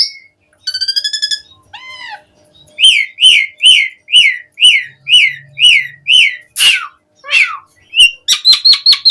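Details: Asian pied starling song for luring starlings into song: a quick harmonic trill and a descending whistle, then about ten loud down-slurred whistled notes at steady pace, harsh rasps, and a rapid closing series.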